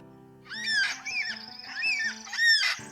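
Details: Three drawn-out, mournful wailing calls from a Yellow-tailed Black Cockatoo, the distinctive call heard from flocks in flight, each rising then falling, about one a second, over soft background music.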